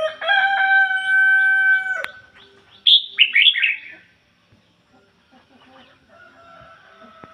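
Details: Decoy red-whiskered bulbul in ngoi bổi song style: a steady, tonal, layered hum fills the first two seconds, then one loud burst of sharp, bubbly, descending warbled notes, followed by quiet background chirps.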